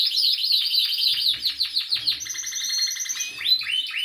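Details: Canary song: rapid high rolling trills of repeated notes, about four per second, then long steady whistled tones and rising slurred notes, loud and clear.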